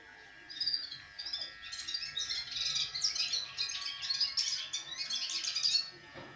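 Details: House sparrow, described as small and beautiful, giving a busy run of bright chirps and tweets, overlapping and fairly continuous for most of the clip, with a faint low hum beneath.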